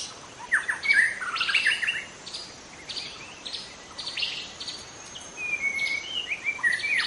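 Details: Young wild White-rumped shama in forest giving harsh chattering bursts and bright whistles, followed later by a level whistled note and quick sliding phrases over background hiss.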